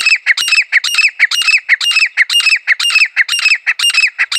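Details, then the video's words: Grey francolin, locally called desi teetar, giving a loud series of harsh, squawking double notes repeated about twice a second in a steady, rhythmic run with no other sounds. "teetar ki awaz desi teetar ki awaz grey francolin voice"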